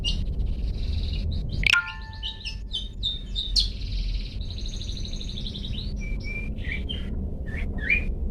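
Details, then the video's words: A long-tailed shrike's "toet toet" song used for training pet songbirds: a burst of buzzy, rattling notes, a sharp click, then thin drawn-out whistles and scattered chirps, with steady low rumble behind. "Cendet toet toet Cocok Untuk Masteran Cendet macet"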